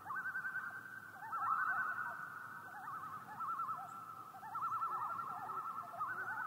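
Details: Common loon calling in repeated wavering tremolos, fast quivering notes that swell and fade in several overlapping phrases, loud and clear above a quiet, hissy background.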